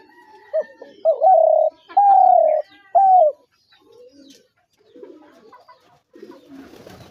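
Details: Spotted dove calling with three loud, round coos, the middle one longest and gently falling, then soft low murmurs and faint rustling.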